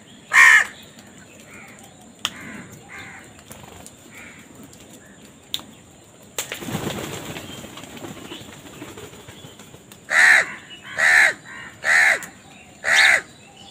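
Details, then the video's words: Crows contending for food: one sharp caw, then a burst of flapping wings, then four loud, harsh caws spaced about a second apart. "কাকের ডাক Crow bird Crowing Sound, Crow ki Awaz Loudly part 79 | Funny Crow bird Fight for Food"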